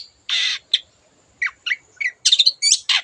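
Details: Long-tailed shrike, a 'gacor' cendet used as a master for other birds, with a varied song borrowing other birds' sounds: a harsh buzzy note, then short scratchy chips and rising whistled twitters, clean with no other sounds.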